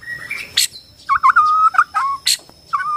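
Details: Bornean white-rumped shama song of clear whistled notes broken by sharp high chips, with a sustained level whistle in the middle and a quiet hum behind.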